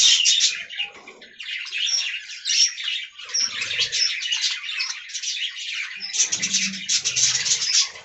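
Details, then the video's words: Flock of budgies kept in an aviary colony cage, chattering nonstop with rapid buzzy warbles and thin whistled squeaks layered over each other, a faint low murmur appearing toward the close. "Budgie Talking Compilation"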